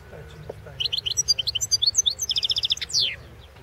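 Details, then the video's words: European goldfinch competition song from the 2016 World Championship in Goldfinch Song: a quick run of bright, high twittering notes, with buzzy trills and sharp downslurred chirps, loud and clear over a faint low hum. "Pesma štiglića"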